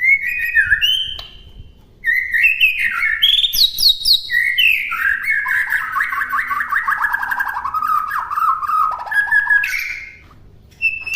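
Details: White-rumped shama sings a continuous, rich medley of whistles, high sweeps and rapid rippling trills that sag gradually in pitch, used as a master for caged birds to imitate.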